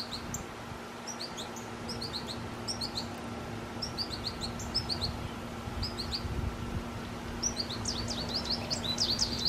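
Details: American goldfinch perched in a tree and drinking water, giving scattered high, sharp chirps in small clusters throughout, growing busier toward the end over a constant low hum.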